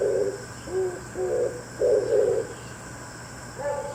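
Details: Oriental turtle dove in the morning, calling back and forth with another dove; a few low coos, softer and more broken, followed by a gap and a fainter coo near the end.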